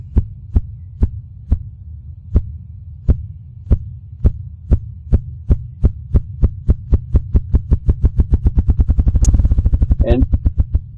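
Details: A Ruffed Grouse drums as a mating display in forest, beating its wings against its body. Deep, muffled thumps begin about half a second apart, then speed up into a rapid, low whirring roll that can carry far. A brief click sounds near the end.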